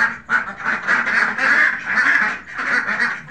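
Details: Khaki Campbell ducks in a farm setting giving a short run of loud, nasal, overlapping quacks with brief dips between bursts.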